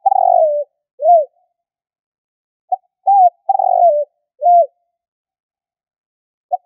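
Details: Spotted dove calling as a hunting decoy sound: a buzzy downward-sliding coo, then a brief humped note; after a pause a clipped note, an arched coo and the same long wavering phrase repeat, with nothing else audible.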